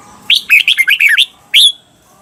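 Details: Red-whiskered bulbul, Thailand, on a cage-bird training recording for the doubled 'berl' style: a phrase of about eight quick, swooping notes followed by one clear, sharp note.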